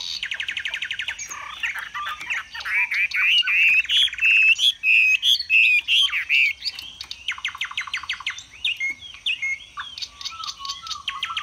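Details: Caged displaying Chinese hwamei delivering high 'cao cầu' song: a fast metallic trill, then looping whistled notes climbing and dipping, bursts of quick rattling notes, and soft falling whistles at the end.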